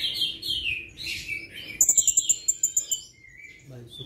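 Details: A male Sumatran blue-crowned hanging parrot, played as a lure, gives thin, high squeaky notes, then a quick run of about ten sharp, very high ticks over one second, with fainter chirps before and after.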